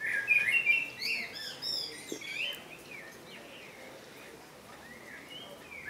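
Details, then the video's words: Blackbird song opening with a loud, rich warble of fluted notes in the first two seconds, then fading to softer, scattered whistled phrases, with a final bright note at the very end. "Blackbird song - Turdus merula - შავი შაშვი"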